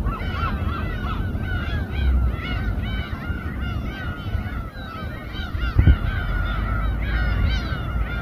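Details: Gull flock calling over a harbour boat at Samgilpo, Seosan, Korea, where fish is being sliced; loud, unbroken overlapping harsh mews and yelps, a sharp knock near the end, with an engine and wind rumble throughout.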